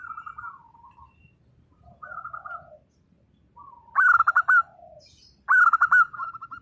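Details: Local zebra doves singing: soft distant coo phrases at first, then two loud close phrases. Each loud phrase starts with ringing stuttered notes and runs into brisk repeated coos.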